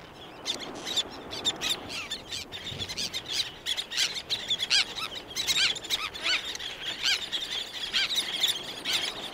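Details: Several black-naped terns calling close by with others in the distance: harsh, high, squealing notes in dense overlapping bursts, some wing beats, steady outdoor background.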